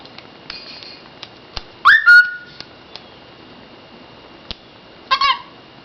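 A pet bird gives a loud rising whistle near two seconds, then a short buzzy chirp about three seconds later, with faint clicks between.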